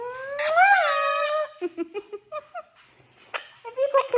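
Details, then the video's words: Talking pet Quaker parrot, male, indoors at night while being cuddled: a loud harmonic squawk with a slight upward bend, followed by a string of short, clipped chattering notes and soft clicks. "Talking Quaker Parrot"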